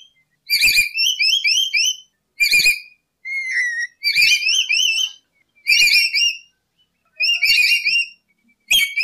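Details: Lory, locally nuri or urip, singing as a trapping lure: bright upslurred whistled notes in short harmonic-rich bursts, separated by brief silent gaps.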